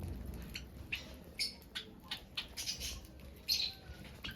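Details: Finch chirps: brief, high, clipped notes spaced irregularly, about a dozen in four seconds, with a faint low hum underneath.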